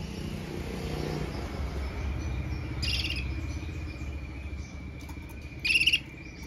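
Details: Red mosaic agate canary giving a powerful song: a faint steady tone runs under two short, bright, rattling bursts near the third and sixth seconds, over a constant low rumble.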